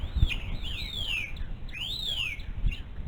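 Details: Adult female bald eagle calling at the nest beside her one-month-old chick, captured by a live eagle cam: two high, thin whistled notes slide steeply downward, about a second apart, over a steady low rumble of background noise.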